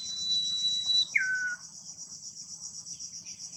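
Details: Wild common iora singing close to its nest, a drawn-out high whistled note followed by a quick drop to a lower falling whistle, with dense buzzing insects throughout.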